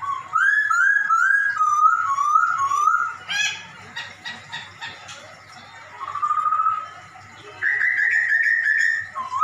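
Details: Chatty black-throated laughingthrush mimicking a cat, recorded as a tutor track for pet birds: a run of quick looping whistled notes, a brief burst, softer wavering notes, then a buzzy rising whistle held steadily at the end.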